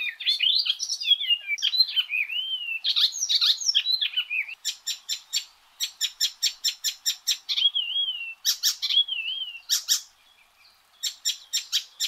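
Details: Icterine warbler singing a varied, energetic song: high whistled slurs and wavering notes, then rapid runs of harsh, buzzy repeated chips with clipped pauses between phrases.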